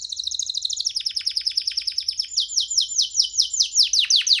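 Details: Free young canary singing on a hand: rapid, evenly repeated high descending notes, a steady rolling trill that shifts to a slower series of louder downward sweeps.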